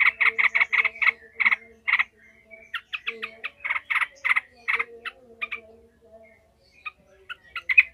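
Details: Furious yellow-vented bulbul chattering in the 'ngekek' manner used to train other bulbuls' fighting mentality: a fast burst of rasping notes, then sparser scattered notes and a sharp final flurry, over faint hum.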